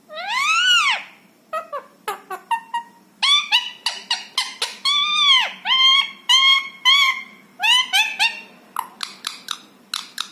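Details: Rescued ringneck parrot kept indoors, talking in imitated speech: a long run of loud, arched, harmonic syllables, some drawn out and some clipped, delivered in quick word-like bursts with short pauses, over a quiet room.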